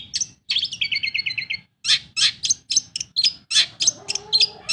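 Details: Lively song of a kept Long-tailed shrike, used as a lure to get silent birds singing. A quick trill of stacked notes is followed by loud, sharp, scratchy chirps in irregular bursts. A faint lower whistle sounds near the end.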